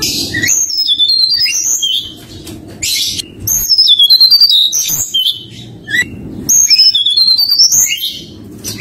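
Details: Forktail (tledekan gunung) singing in flute-like nyuling style as a lure to draw a rival: rapid bursts of clear, rising and falling whistles separated by short pauses, with music humming underneath.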